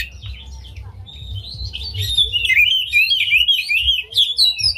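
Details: Oriental magpie-robin with spread tail delivering a unique song to excite other magpie-robins into song. A continuous, fluid warble of slurred whistles, rising and dipping, flows throughout with only a faint low hum behind.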